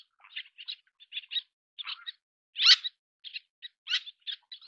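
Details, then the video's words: Little tern, Sternula albifrons, feeding chicks: short, sharp, high chattering calls in quick irregular bursts, with one louder, harsher note near the middle, against a quiet background. "小燕鷗-育雛/Little Tern-Feeding Chicks"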